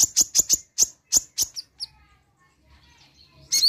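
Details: Brown-throated sunbird (konin) answering a single playback with its 'nembak' singing. A fast series of sharp, high chipping notes slows and fades out, then a brief loud burst follows.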